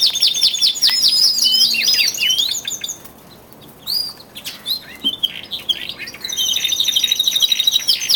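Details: Twelve caged male canaries in early February, 46 days before spring, singing with growing intensity: fast high rolling trills for over two seconds, a brief near-quiet pause, scattered varied chirps and slurs, then a bright rapid pulsed trill.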